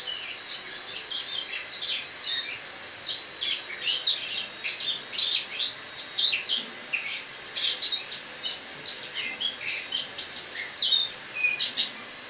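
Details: Eurasian blackcap, a caged bird moved from a loggia into a kitchen for winter, sings its autumn song on an October 2017 morning: a lengthy, busy twitter of sharp high chirps, growing louder and denser after the first few seconds.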